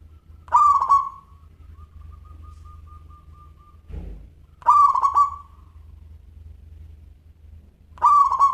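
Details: Zebra dove of a local strain singing actively, with a clear crystal tone. Three stuttering cooed phrases arrive roughly every four seconds, a thin held tone runs between the first two, and there is a brief low thump near the middle.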